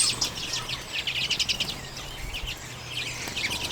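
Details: Common redpolls at sunflower seeds, late January 2022, Canon EOS M50 recording. Busy, high-pitched twittering from many birds comes in clustered bursts, with a faint steady low hum underneath.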